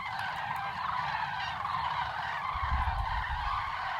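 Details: Common cranes (Grus grus) at Yelnya upland marsh, Miory District, Belarus, a migration stopover, calling in a dense, overlapping chorus of loud trumpeting and honking notes, steady throughout, with a low rumble in the background.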